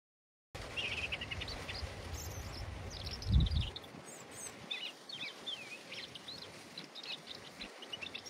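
European robin singing thin, high, wistful phrases that trickle up and down with short pauses, over a low roar of stormy wind and one loud thump.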